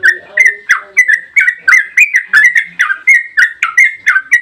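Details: Yellow-vented bulbul pouring out a fast 'ropel' string of bright clipped notes, about three per second, used to lure other bulbuls into singing; soft low chatter sits beneath the first notes.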